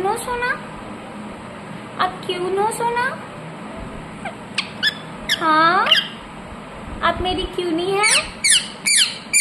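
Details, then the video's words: Rose-ringed parakeet kept indoors making varied sounds: slow, wavering, rising and falling squeaky notes, then a run of sharp, high, falling screeches near the end. "Ringneck parrot Naturals Sound"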